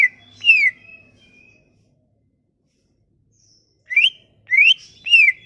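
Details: Sumatran leafbird singing, offered as a lure for silent leafbirds: one downslurred whistle, a long quiet gap, then three bright notes that rise and bend back down.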